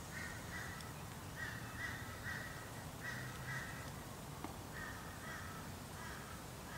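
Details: Wild sulphur-crested cockatoo, feeding on macadamia nuts, giving harsh, grating squawks in short bursts, several close together, over a steady low rumble of wind or background noise.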